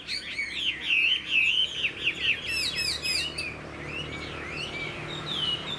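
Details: Vietnamese cage-kept Chinese hwamei, a bird praised for its fighting display and fine singing, delivering quick, rolling whistled notes in a busy run, then slower swooping phrases that rise and fall.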